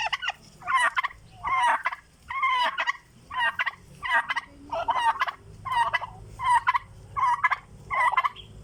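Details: Turkeys making sound because they are hungry: a steady run of about eleven short rattling gobbles, one roughly every 0.8 seconds, each a dense burst of quivering notes.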